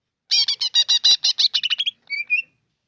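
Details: Greater green leafbird giving a fast burst of about a dozen harsh, rattling notes that speed up and quicken before ending in two short whistled notes.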